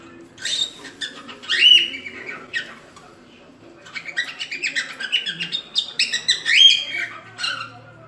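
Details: Cockatiels singing a lot, an aviary-style chorus of bright whistles and harsh chirps in overlapping bursts, with a quiet stretch around the middle before the chattering picks up again.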